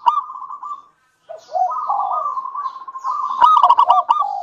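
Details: Local zebra dove, singing often, played to stir other doves into song: a gentle trilled coo, a pause, then a long warbling cooing phrase ending in a loud rapid trill.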